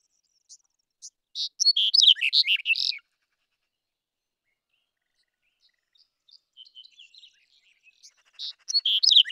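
Black-headed bunting giving two bright, jangling song phrases of quick chirps and twitters, the first loud, a softer run of notes between them.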